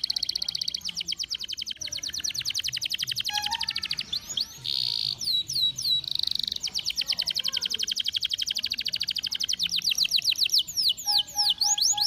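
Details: Long canary performance played to stimulate other canaries to sing: repeated rolling trills of rapid notes, buzzy sustained passages, slurred whistles and clear sweeping chirps, with tours changing every few seconds.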